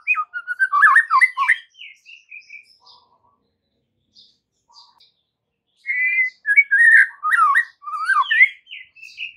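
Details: White-rumped shama song used as an afternoon lure to make young shamas, both fledglings and juveniles, sing back; two bursts of rich, varied whistles and chattering notes separated by a few seconds of near silence with faint scattered notes.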